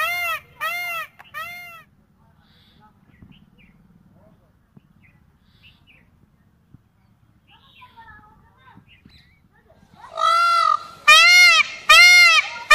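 An Indian peafowl gives loud, nasal, arching wails: three quick ones, a long quiet pause, then a harsher run of about five near the end.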